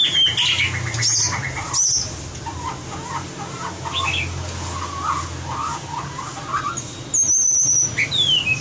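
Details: White-rumped shama in competition-song training: varied song of short warbled notes near the middle of the range, high clear whistles, and a thin descending whistle near the end, over low steady hum.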